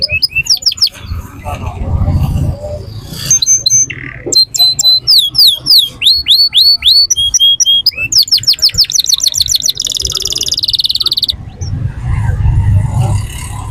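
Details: Canary (Serinus canaria) in full song at the Quetta Sunday Bird Market: fast high trills and rolling bursts with sharp rising and falling notes, over a low murmur of voices and market noise.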